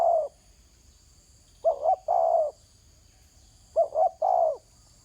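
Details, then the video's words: Calling from the ground, a spotted dove repeats a short doubled coo followed by a longer coo, phrases about two seconds apart, with a steady faint high insect drone in the background. "Terkukur kg bunyi atas tanah"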